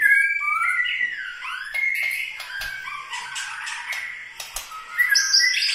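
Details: White-rumped shama of Medan, Bahorok, Bukit Lawang, singing a varied run of clear whistled phrases, some sliding, mixed with sharp clicks and higher chirps toward the end.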